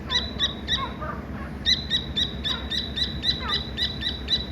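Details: Baby Dakni teetar partridge calling: quick series of thin, high-pitched chirps, several per second, in irregular clusters, with a few softer lower notes and constant low rumble behind.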